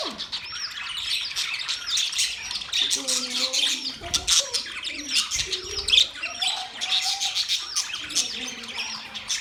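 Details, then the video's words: A budgerigar flock chirps and warbles in high, busy chatter, while soft lower cooing notes drift in and out beneath it. "Budgies chirping sounds"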